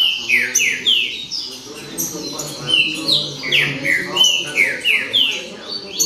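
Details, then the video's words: Several captive Green-winged saltators sing together in a show: loud, clear downslurred whistles, about three a second and overlapping, over a faint low murmur. "Baderna De Trinca Ferro"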